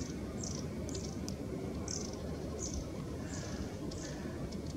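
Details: Long-tailed tits in autumn and winter give thin, very high, slightly falling 'see' notes, repeated roughly every half second, over a steady low rumble of wind or distant traffic.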